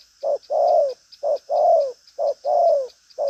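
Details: Spotted dove of the 'đồng pha chân cua' kind, strong cooing with a restless style. Three clear short-then-long coo pairs, the long note sliding slightly downward, against a faint continuous high buzz.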